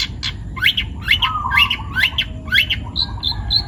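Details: Young wild-taken long-tailed shrike in vigorous song: a quick string of scratchy rising chirps, a buzzy low trill, then thin high whistled notes, delivered in fast irregular succession with soft background hum.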